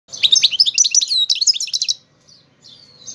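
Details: Algerian goldfinch singing a fast, jumbled twitter of high, sharp chirps and short whistled notes for two seconds, then fading to a few faint, thin notes.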